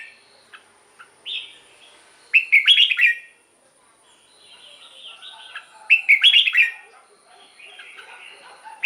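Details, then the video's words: Red-whiskered bulbul singing in captivity, a recording played to get caged birds excited: a loud rich phrase of tumbling slurred notes repeated about every three and a half seconds, with softer twitters between. "เสียงนกกรงหัวจุก สำหรับต่อ หรือ เปิดให้นกคึก เสียงเพราะๆ"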